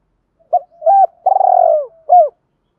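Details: Spotted dove lure call used to provoke wild doves into singing: short, mellow coos, then a longer rolling, trilled coo that slides down, ending with one more clipped coo, all on a clean, quiet background.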